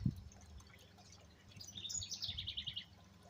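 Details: House wren (Troglodytes aedon) singing from a garden birdhouse where a pair is nesting, with eggs inside: a quick, bubbly burst of high chattering notes tumbling downward over about a second, over a low background rumble.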